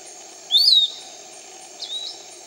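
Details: A Piratic Flycatcher, a canopy bird, near Iquitos, Peru, gives a high, thin whistle that rises then slurs down, followed by a fainter echoing note over a steady background hum.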